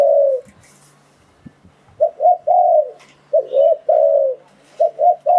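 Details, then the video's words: Spotted dove call used to lure wild doves into traps: one falling coo, a pause with faint clicks, then three groups of soft coos, each a short note leading into a longer one. "Tiếng Chim Cu Gáy Dùng Để Đi Bẫy Gọi Bổi"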